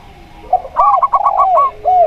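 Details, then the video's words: Local zebra dove, clear-voiced, recorded alongside a spotted dove: a rapid run of clipped, stuttering coo notes overlaps longer, lower swooping coos that rise and fall, ending in a drawn-out soft coo. "Perkutut Lokal Suara Plong"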